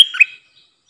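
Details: Streak-eared bulbul kept as a decoy bird to lure wild birds and to teach young birds, giving one sharp, bright chirp with a quick upward flick, then silence.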